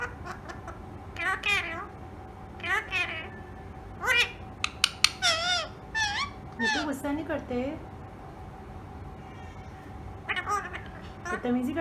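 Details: Tame ringneck parrot mimicking speech, producing a long run of rapid wavering, warbling syllables with rising and falling inflections, in bursts separated by brief pauses, with a steady faint background hum.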